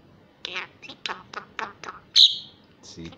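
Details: Young female common myna in Israel, adopted after falling from the nest and now learning to speak Hebrew: a sequence of husky, word-like syllables, then one loud piercing high squeal and a brief nasal note.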